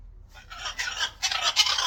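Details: Macaw calling during a free-flight recall: loud, harsh, raspy screeches in quick bursts, broad and grating, rising in strength toward the end, over a low background rumble.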